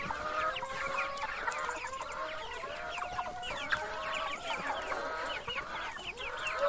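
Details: Many chickens calling together in a steady, dense flock chorus of overlapping clucks and higher peeping notes, unbroken and even in loudness throughout.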